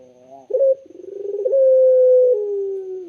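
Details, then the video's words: A Barbary dove gives one clear, gentle coo: a sharp rising onset, a throbbing stretch, then a long level low note easing downward, heard in quiet surroundings. "BURUNG PUTER SUARA JERNIH DAN SYAHDU"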